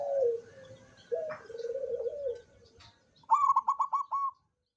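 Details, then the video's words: Zebra dove song, 24 September 2023, open-beaked: low, rolling coo phrases, a brief pause, then a crisp higher trill of about six even pulses ending abruptly. "suara perkutut sampai buka paruh"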